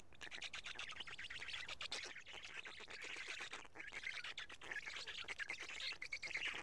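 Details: At midday on 31 May 2017 in Karula, black stork chicks pick pieces from two big fish brought by a parent, giving a steady stream of coarse, wheezy rasps that swell and fade in bursts.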